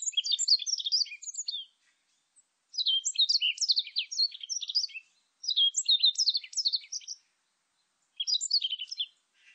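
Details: Warbling white-eye producing four fast, high-pitched chattering warbles, each phrase a rapid tumble of sliding chirps lasting under two seconds, with brief silent pauses between phrases; clean recording.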